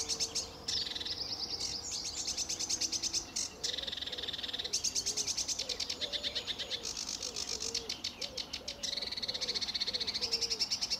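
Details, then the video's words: Sedge warbler singing on a sunny early morning in July 2013 at Fowlmere, England: a lively, fast, scratchy chatter of rapid buzzy trills high up with brief pauses, and low rising-falling notes from another source repeating beneath. "Sedge Warbler"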